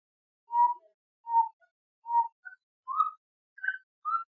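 A Grey-cowled Wood-Rail gives six loud, hollow, mid-pitched notes about every three-quarters of a second, the later ones rising higher, each trailed by a soft short note.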